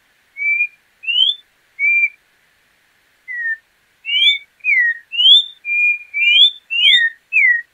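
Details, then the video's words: Whistled orange-backed troupial song that starts with spaced level and rising notes, pauses, then speeds into a dense run of rising and falling slurs near the end. "Canto do João-pinto"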